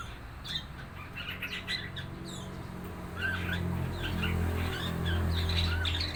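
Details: Red-eyed fig bird of four months trying out its song: quick bursts of high chirps and slurred notes, partly masked by a loud low hum that grows halfway through.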